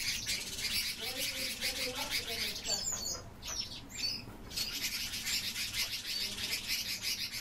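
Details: Captive rosy starlings in a steady flock chatter of scratchy chirps and buzzy rattles, with a few lower squeaky notes near the start and a brief dip in the din midway.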